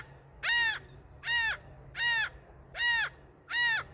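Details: Loud seagull proclaiming itself king, giving five harsh, ringing, arched calls spaced evenly about every 0.8 seconds, each note rising and dropping, over a faint low background hum.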